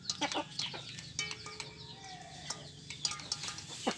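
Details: Free-range village chickens squabbling over food make quick clucks and high chirps, with a sustained thin tone running beneath the clamour.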